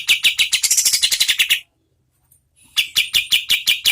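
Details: Kapas tembak (oriental white-eye) in medium-speed song for tutoring competition birds, delivering dense, ringing high chips in a fast run, a short silence, then another even series of sharp notes.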